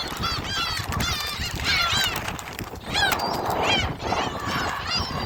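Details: Many gulls at Jebudo, South Korea, calling while being fed: overlapping wavering, laughing mews in quick series, over constant crowd chatter and rumble.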